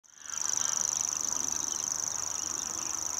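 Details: Common grasshopper warbler singing: a loud, high, continuous mechanical reel of very rapid identical ticking notes, sustained without a break like a running fishing reel, with faint background hum.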